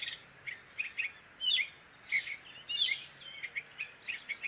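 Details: Gray catbird song: varied scratchy warbles and squeaky notes, a few louder harsh phrases standing out among quicker soft chips.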